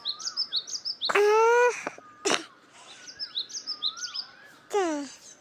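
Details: Birds chirping: quick high twittering notes repeat steadily throughout, broken by louder, harsher, drawn-out calls with a rich, nasal tone around one and two seconds and again near the end.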